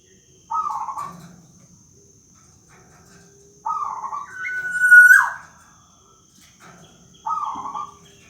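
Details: A local black-naped oriole repeats its rintihan, or moaning, call: three separate short nasal bursts, the middle one leading into a thin squealing whistle that breaks off sharply, with a faint steady high hum behind.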